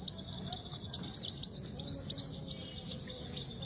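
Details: Himalayan goldfinch, locally called saira, in a singing fight: a steady high twittering stream with sharp chirps spaced through it and a faint low hum beneath.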